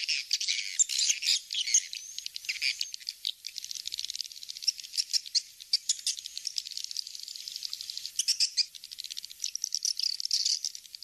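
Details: Swiftlet attraction call in the "Kings Star" style: continuous shrill, rattling twitter with rapid clicks and buzzy high chirps running throughout, with a few louder chattering bursts.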